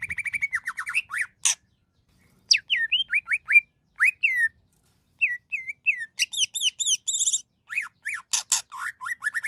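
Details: A Greater green leafbird (cucak ijo) sings energetically: fast trilled phrases alternate with loud rising and falling whistled notes, sharp high chips and brief pauses, over a clean, quiet background.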